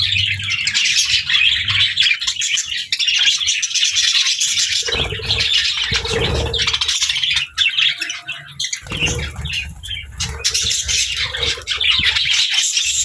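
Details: Pet budgies sharing space with lovebirds keep up a steady, bright twittering chatter throughout, with overlapping chirps and warbles. Low rumbling handling or movement noise comes through in the middle.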